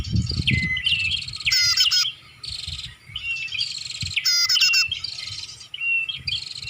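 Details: Bar-winged prinia sound meant to lure birds: bright, high chirping phrases mixing buzzy trills and sharp falling whistles, broken by brief pauses, with some low rumbling noise at the start.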